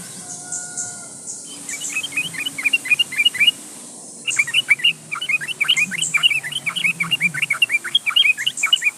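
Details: Yellow-vented bulbul singing hard at a rival, recorded as a lure to get bulbuls singing: an unbroken chatter of bubbly, liquid whistled notes, briefly interrupted, over steady background hiss.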